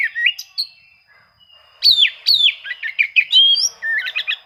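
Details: Oriental magpie-robin challenging rivals, used to draw song from quiet birds: sweet whistled notes, a short pause, then loud downslurred strokes followed by quick varied chirps and warbles.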